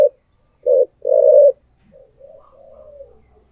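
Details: A decoy spotted dove sings in the thổ voice style. A clipped low coo is followed by a long, steady, hoarse coo, then soft, wavering trailing notes. Clean, quiet recording.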